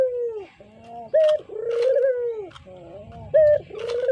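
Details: Spotted dove, a kept cage bird, calling as a lure: a clipped bright note opening each phrase, followed by a long mellow coo that tapers down, two full phrases with scattered clicks in the background.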